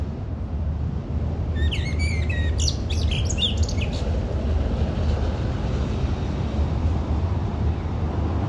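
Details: Song of a common blackbird, a brief phrase of rich whistled notes followed by a scratchy high flourish, set against continuous low-pitched background rumble.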